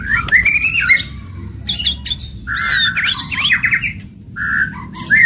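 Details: White-rumped shama (murai batu) in loud, aggressive song to provoke other birds: buzzy rising trills, harsh rasping rattles and sharp high whistled upsweeps in quick succession.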